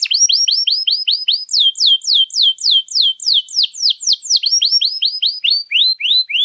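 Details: Canary with long, ornate song used to prompt and teach other birds: continuous chains of curved whistled sweeps, speeding up and slowing down, bright and high, no other sounds.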